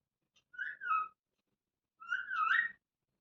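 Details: A pet Indian ringneck (rose-ringed) parrot talking: two short, whistled, word-like phrases about a second and a half apart, wavering in pitch, in a quiet room.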